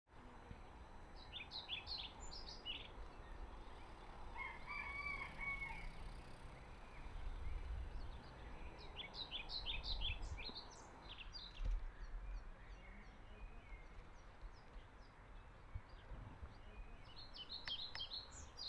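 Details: Singing male European pied flycatcher recorded on 12 May 2024 at Middelaar, the Netherlands: short bursts of high, quick, sweet notes repeated in phrases several seconds apart, over steady low rumbling background noise.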